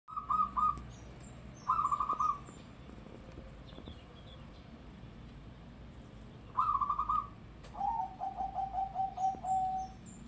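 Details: Local zebra dove giving loud song: short bursts of rapid purring coos, then a longer descending run of stuttered notes trailing into a soft tail, with faint background hiss.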